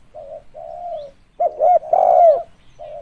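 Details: A lure spotted dove makes soft, even coos, then bursts into loud hooting notes ending in a long downward-sliding coo, before the soft cooing resumes.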